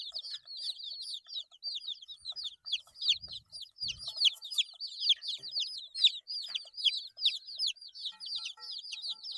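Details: Chirping from 8-day-old baby chicks; a steady chorus of many thin, high, falling peeps running without a break, with a couple of soft low thumps near the middle.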